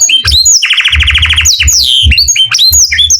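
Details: Morning canary song mixing clear slurred whistles with a short, fast, buzzy rattle of repeated notes, over a low background hum.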